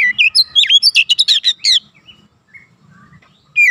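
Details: Oriental magpie-robin song used as a training recording for young birds: a fast, dense burst of varied whistles and sharp chirps, sweeping up and down, lasting about two seconds, then a quiet pause before a new whistled phrase begins.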